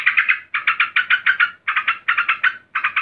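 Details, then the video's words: Agitated female yellow-vented bulbul calling to a male: short clusters of three to five quick, harsh notes, each cluster separated by a brief pause. "Trucukan BETINA NGAMUK GARUDA memanggil JANTAN"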